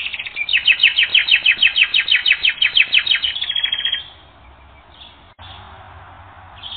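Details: Canary singing for a training recording: a long, regular series of rapid rhythmic chirps for about four seconds, then near silence with faint brief notes.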